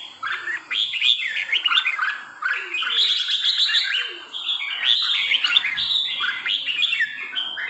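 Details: Three-season red-whiskered bulbul from Trà My giving rapid, busy song phrases of sharp chirps and warbled notes, overlapping almost without pause. Soft lower notes sound faintly underneath.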